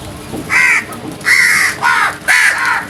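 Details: Crows calling at early morning, four harsh, broad caws in quick succession, the middle ones long and grating, with little pause between them.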